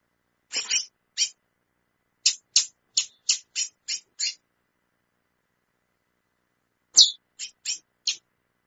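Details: A female chestnut-bellied seed finch calls repeatedly in quick runs of sharp, high chips, a burst of about eight notes, a pause of several seconds, then another short run of four, with no other sounds.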